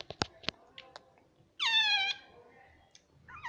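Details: Talking pet parrot at home, said to call "mummy" and "mitthu": scattered soft clicks, then one loud, sustained, harmonic syllable with falling pitch, and another starting at the end.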